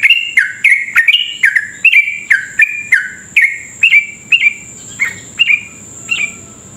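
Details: Rapid rolling song of a sooty-headed bulbul, played to stimulate other bulbuls to sing quickly: a long, even series of bright slurred whistles, about two per second, gradually softening toward the end, over a thin constant high whine.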